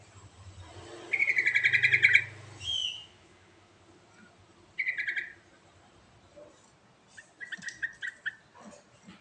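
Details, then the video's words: Actively singing sooty-headed bulbul, 'gacor' style: a long buzzy, rattling phrase over a low hum, then two shorter chattering bursts a few seconds apart. "Suara Asli Trucuk Gacor Isian Istimewa Cocok Untuk Pancingan Trucuk Macet Bunyi"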